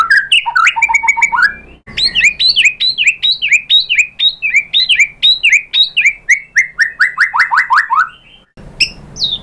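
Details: White-rumped shama song used to provoke other shamas: an opening of mixed whistles and rattling notes, then a long run of quick descending whistled notes repeated steadily, ending after a short pause.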